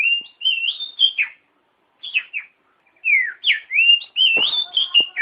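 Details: Oriental magpie-robin song used as a lure to get a lazy bird singing: clear, varied whistled phrases with rising and falling slurs and quick warbles, delivered in bursts separated by short pauses. A couple of faint clicks.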